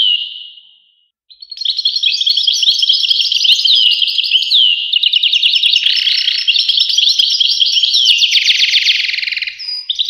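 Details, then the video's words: Goldfinch song starting after a short fading note and pause, then a long rich twitter of chirps, slurs and buzzy trilled passages running on for several seconds. "voice carduelis- Tweets the birds. Tones a bird Goldfinch. voice goldfinch-"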